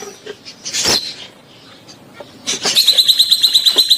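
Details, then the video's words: Rosy-faced and Fischer's lovebirds giving mating sounds to stimulate the female to breed: soft scattered notes and a harsh squawk, then a fast, steady series of shrill ticking chirps. "صوت تزاوج طيور الحب الروز والفيشر لتحفيز الأنثى على الإنتاج"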